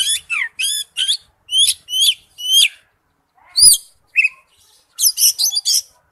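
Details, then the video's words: Oriental magpie-robin singing its wild-type forest-voice song: a series of clear, bright whistles with quick up-and-down slurs, spaced pauses, a single swooping note, then a short, fast scratchy flourish. "Chim chích chòe than hót giọng rừng"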